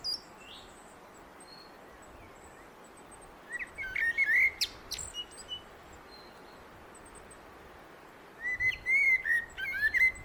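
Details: Two mellow fluted common blackbird phrases separated by a long pause, each with thin high twitters mixed in, in a quiet outdoor setting.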